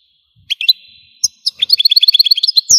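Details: European goldfinch from Algeria: scattered sharp chirps over a faint held tone, then a fast, even run of high twittering notes.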